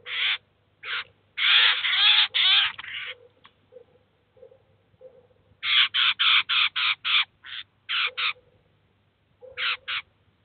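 Eurasian jay giving harsh, rasping screeches in bursts, some drawn out and some clipped, bunched irregularly about twice a second, over a faint low hum.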